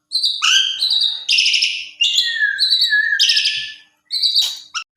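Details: Asian pied starling singing as a lure for other starlings to respond: a busy run of harsh chattering bursts mixed with bright whistled notes, broken by a short pause before a final burst.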